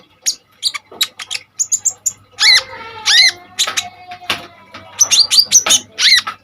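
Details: Common iora singing hard, offered as a master song for training other birds. Bright high chips and sharp notes surround several loud down-slurred whistles, with a low hum in the background.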